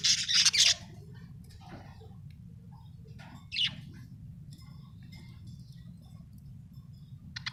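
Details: Happy budgerigar chirping: a burst of shrill, high chattering notes at the start, then a single sharp chirp and scattered faint twitters over a steady low hum.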